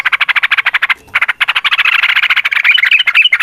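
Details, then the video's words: Yellow-vented bulbul in a long rapid 'ropel' bout, played to coax kept birds into singing back: a fast harsh rattling chatter of dense pulses, about fifteen a second, briefly pausing, then turning into quicker twittering notes. "TRUCUKAN GACOR TARUNG ROPEL PANJANG Pancingan trucukan Agar Bunyi Jadikan Burung Trucuk Gacor Nyaut"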